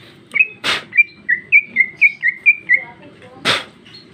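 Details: Female greater green leafbird delivering a neat series of about nine clear whistled slurs, evenly spaced roughly every quarter second, framed by two loud harsh bursts.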